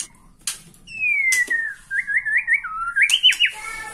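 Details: Borneo white-rumped shama, stirred by the sight of a rival, gives a long, gently falling whistle followed by quick zigzag warbled phrases that rise and fall, with a few sharp clicks.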